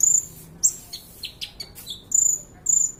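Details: Kolibri ninja (sunbird) song used to train other birds: piercing high whistles at the start and end, separated by a chain of short downward-slurred chips.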